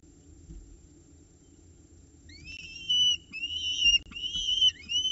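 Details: Nest-box peregrine falcon chicks in Orange, 9:36 am, 29 October 2018, while prey is delivered and shared. After two quiet seconds, rising whistled wails start, repeated and overlapping, with occasional clicks.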